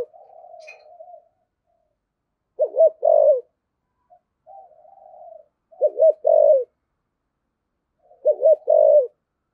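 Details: Decoy spotted dove repeating 'thổ'-style urging coos. Three strong phrases come roughly every three seconds, each a clipped double note and a drawn-out descending hoot, with quiet low warbling between them.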